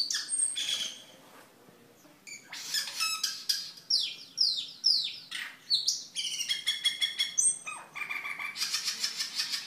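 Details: Cucak keling song recorded as gacor masteran and lure sound: harsh buzzy rattles, scratchy chattering and some high whistles, with faint background hiss.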